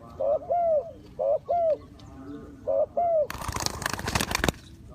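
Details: Spotted dove decoy calling to lure wild doves into a trap. Three crisp coo-croo phrases, then a sudden loud burst of rustling noise and people's exclamations.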